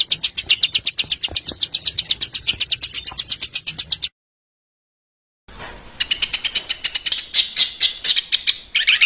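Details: Small burcil besetan bird in a coarse master recording for teaching caged songbirds harsh variations; a fast, steady high chatter, a silent gap, then a denser scratchy twittering.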